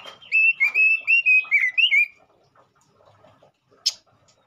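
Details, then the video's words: ['Male robin singing vigorously, played as a lure to stimulate other robins: a fast run of about eight clear whistled notes, slightly rising and falling, in a steady burst, then quiet with one sharp click near the end.'] "pancingan burung robin jantan gacor"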